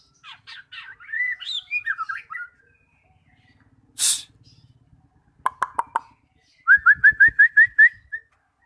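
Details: Magpie-robin song used as a lure to get stalled birds singing: varied whistled and warbled phrases, then a sharp noise burst, a run of quick clicks, and a fast series of seven rising whistled notes.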